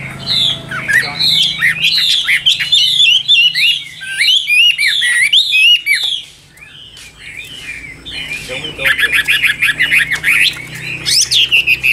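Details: Song of a caged Chinese hwamei: about six seconds of dense, fast whistled and buzzy phrases, a short lull, then a harsher, noisier burst of chattering notes ending in a high squeal.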